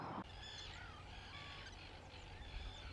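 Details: Black-headed gulls at Sarzeau give harsh, overlapping, slightly wavering calls several times a second, over a steady low rumble of wind.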